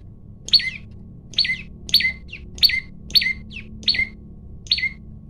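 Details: Male olive-backed tailorbird calling loudly as a challenge to fight, phone recording: a rapid run of seven loud, sharp high notes, each dropping steeply in pitch, spaced about every 0.6 seconds, faint low hum beneath.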